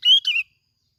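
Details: A single brief bubbly phrase from a lure sooty-headed bulbul in Bình Thuận, Vietnam: two quick warbled notes, the second sliding downward, lasting under half a second.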